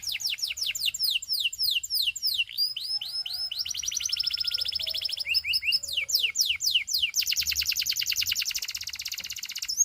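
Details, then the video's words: Russian singing canary pouring out a long song of quickly changing phrases: falling whistled sweeps, buzzy rolls, a sustained fast trill, then more descending notes and a very high rapid trill. "A Special Canary to Seduce All The Canaries - The Russian Singing Canary"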